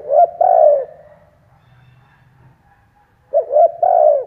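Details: Cooing of a decoy spotted dove luring wild doves: the end of one phrase, a pause of about two and a half seconds, then a full phrase of two short coos and a long falling one.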